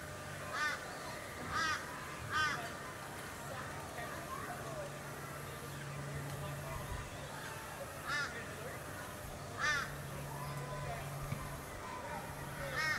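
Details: Australasian swamphen (Porphyrio melanotus) on the Sunshine Coast, Queensland, September 2022, giving harsh, nasal, screeching calls, about six spaced irregularly over thirteen seconds, over a steady low mechanical hum.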